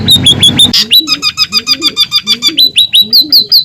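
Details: Scaly-breasted munia in a masteran recording, its song given as natural and lively: rapid high chip notes in a regular run of about fifteen, turning into downslurred whistles, with soft low squeaky calls beneath.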